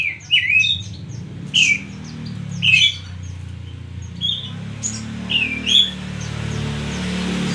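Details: Oriental magpie-robin giving short, sharp whistled notes and slurred phrases, spaced about a second apart, with a steady low rumble in the background.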